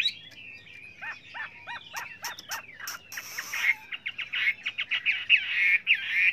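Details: A Chinese hwamei sings for trainees: a series of falling whistled notes repeated about every third of a second, a brief noisy burst, then fast, bright chattering phrases.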